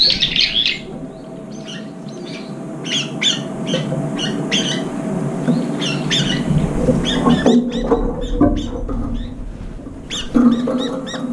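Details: Brown-eared bulbuls gathering late at an almost empty feeding bowl, jostling and fighting over the last food; bursts of harsh, arching squeals with repeated rapid notes, plus a steady low hum underneath.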